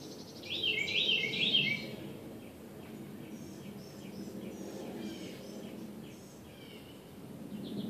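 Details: Bird singing in the morning: one clear, quick twittering phrase of high, rapidly alternating notes near the start, followed by faint, distant chirps over a constant low outdoor rumble.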